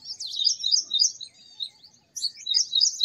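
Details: High-pitched twittering of a purple sunbird: a fast, tumbling burst of sharp sweet notes that fades out, a silent gap of about half a second, then a second rapid, loud twittering phrase.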